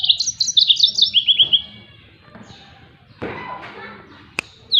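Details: Yellow-fronted canary song used as training material for other songbirds: a rapid series of high, bright chirped notes repeated in quick trills for about a second and a half, then quiet, with a faint click and a final high note.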